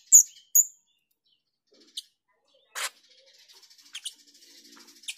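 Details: Female grosbeak starling (Scissirostrum dubium), recorded as a lure call, gives two sharp, very high chirps in quick succession, then fainter buzzy notes and a few scratchy bursts.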